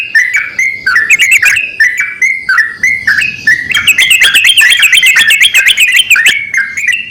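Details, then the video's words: Paired Javan mynas, male and female, call in response to one another: grating squawks and whistled chirps repeating about three times a second, then a fast, busy stretch of clicking, metallic chatter. "BURUNG TRUCUKAN JANTAN DAN BETINA SALING BERSAUTAN"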